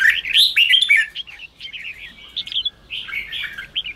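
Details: Red-whiskered bulbul, chào mào ché singing style, aimed at provoking newly caught birds: a loud opening run of rolling whistled notes, then quieter scattered chirps and short warbles.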